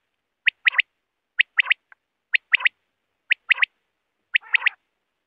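A quail gives a clipped, liquid three-note call, repeated five times about once a second, against a silent background.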